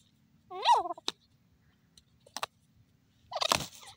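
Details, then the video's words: Francolin, locally called dakni teetar, giving one loud arched harmonic call, followed by sharp clicks and a harsh broadband burst near the end, over a quiet background. "beautiful voice of dakni teetar pk teeter ki awaz"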